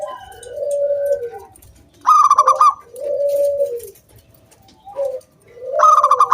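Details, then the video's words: Locally caught wild zebra dove calling to lure other doves into song; drawn-out mellow coos sliding slightly downward trade places with harsh, rattling higher trills, three trill bursts in all. "SUARA KRISTAL KUNG BULAT PANCINGAN SANGAT AMPUH BURUNG PERKUTUT GACOR MANGGUNG"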